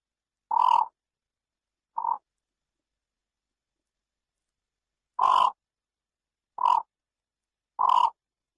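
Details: Yellow bittern (Ixobrychus sinensis) in Pursat province, Cambodia, giving five short, harsh, croaking calls at uneven intervals a few seconds apart against a silent background.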